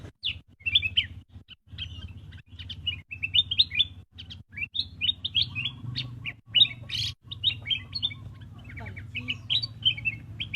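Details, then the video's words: Chattering black-crested bulbul: bursts of quick, high, twittering chirps separated by short gaps, with a few louder sharp notes, against a faint droning hum. "black-crested bulbul chirping sound"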